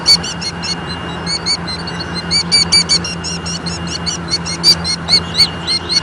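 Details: A killdeer at Leach Park, Bettendorf, Iowa, on 25 June 2014 at 8:43, gets mad and calls in agitated alarm: shrill, piercing dee-dee notes, several a second, over a low hum of distant traffic.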